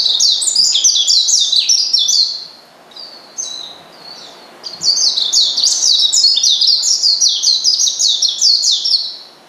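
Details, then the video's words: Oriental white-eye calling out to a rival to make it agitated: fast, high, slurred chirps tumbling downward, a short pause with a few thin whistles, then another long run of rapid twittering. "pleci manggil lawan bikin lawan emosi dan edan"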